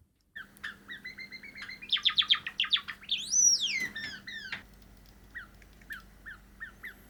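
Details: Cream Java sparrows, a pet male and a probable female, practising their song indoors: bursts of dry clicks and bell-like chirps build into a fast ticking run, then a rising and falling whistled sweep, ending in soft spaced chips over a low steady hum.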